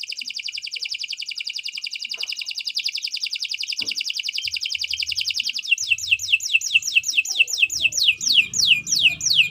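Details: Long canary song for training songbirds, a fast even buzzy trill lasting several seconds, then a string of sharp falling whistled sweeps; faint low rustling beneath.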